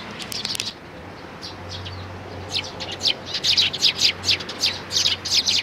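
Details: Eurasian tree sparrow family, chicks and parents, 11 May 2019: a short burst of high chirps, a near-silent gap with low hum, then a busy run of rapid overlapping chirps toward the end.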